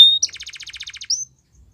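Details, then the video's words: Belgian canary training song: a short high whistled note, then a fast series of about fourteen evenly spaced bright notes, ending in a rising whistled sweep, all clear and loud with no background sounds. "Belgian Canary | The Best Canary Training Song"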